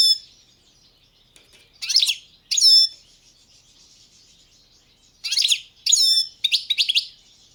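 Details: {'caption': 'Goldfinch of the balcanica race uttering short chirps, a pair, then a gap of about two seconds, then a quick cluster of three or four twittering notes.'}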